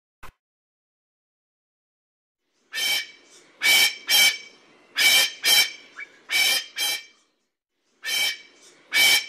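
A pheasant gives loud, harsh, rasping squawks, mostly in quick pairs, repeated several times over a few seconds against a quiet background.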